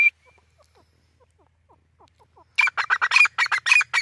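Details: Grey francolin (teetar) breaking into a fast, loud run of harsh, ringing notes after a near-silent stretch of faint ticking, about two notes per second with rising intensity.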